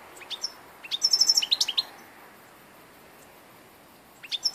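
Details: Old European goldfinch recorded 2 August 2014: a short burst of bright, tinkling twitters and high buzzy notes lasting under a second, then a quiet pause before the song starts again with a few sharp notes.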